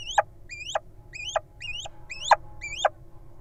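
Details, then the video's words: A Little Owl at a nest box, where nestlings were found in June, gives six thin, high squeaks, each sliding up then down, about two per second, over a low background rumble. "Little Owl's Squeaks"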